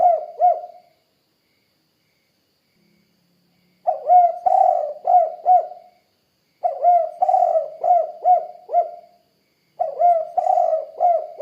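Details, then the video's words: Spotted dove, called tekukur, repeating its gentle, low cooing phrase four times, each of three to four hollow notes with a drawn-out first coo, spaced about three seconds apart in an otherwise quiet setting. "Suara Burung Tekukur Kuk 2 Gacor"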